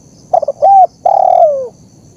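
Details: Spotted dove lure call used to train captive birds and draw wild doves into calling: quick stuttered coos, a brief arched note, then a long, husky coo that slides downward at the end.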